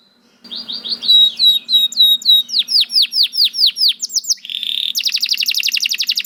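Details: Canary song building from soft warbled notes into a loud repeated series of descending chirps, then a buzzy phrase and a fast, even high trill to the end.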